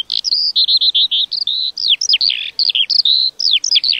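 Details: Lark singing a continuous, fast warbling song of high whistled trills, rapid chirps and sliding notes, almost without pauses, over a quiet background.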